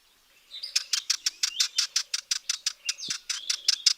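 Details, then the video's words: Sardinian warbler calls, heard all the time around a villa in Italy and likened to a belted kingfisher rattle; a dry, hard rattle of about eighteen evenly spaced clicks over three and a half seconds. "I thought of it as, oh, it's that bird that sounds a little bit like a belted kingfisher rattle. So I would hear that sound, like, oh yeah, that's the Sardinian warbler."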